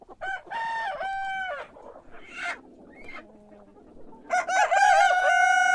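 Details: Morning rooster calls: two loud harmonic notes early on, quieter murmurs in the middle, then a strong crow beginning near the end, rising sharply and held steady.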